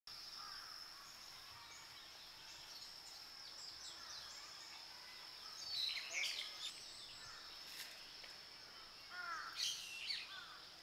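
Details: Warbling white-eye (Mejiro) in Japan, a bird traditionally loved for its singing; short bursts of high, sharp chirps and twitters at about six and ten seconds over a steady high-pitched hum and soft background noise.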